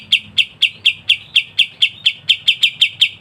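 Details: Masteran kapas tembak in dense ngebren delivery, a run of evenly spaced sharp high chips, roughly four to five a second, with little else audible.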